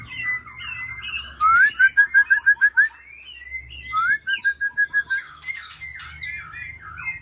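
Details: White-rumped shama song of sharp whistled notes in two quick repeated series of about eight notes each. Varied chirps and twitters from other birds fill the gaps.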